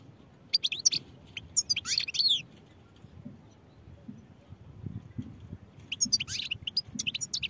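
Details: European goldfinch song in two bouts: a quick tumble of high twittering and slurred notes, a long silent gap, then another lively burst of chirps; soft low rumble throughout.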